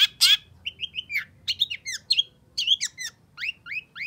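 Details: Long-tailed shrike singing energetically, used to stir a caged bird that has stopped singing: rapid string of short whistled, rising and falling notes around mid-high pitch, with harsher bursts at the start.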